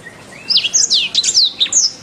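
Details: Canary master song: a short, quick phrase of high, downward-sweeping whistles and bright chirps.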